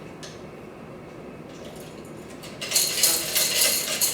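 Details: Metallic clinking and clattering of dishes and cutlery indoors, growing louder after a quieter start, with no animal voice heard.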